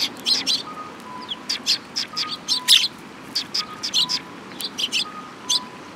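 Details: Flock of sparrows arriving to be fed at Mizukami Bridge in May 2021: continuous busy chirping, many overlapping high, sharp notes in quick groups, with a soft alternating electronic two-note beep in the background.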